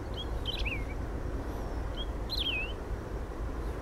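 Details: Lesser grass-finch (Emberizoides ypiranganus), song.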